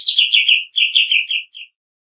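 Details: Harsh rapid song of a greater green leafbird, 'nembak kasar' style, for a training recording. A short run of slurred whistled notes falls slightly, then breaks off into a few separate chips.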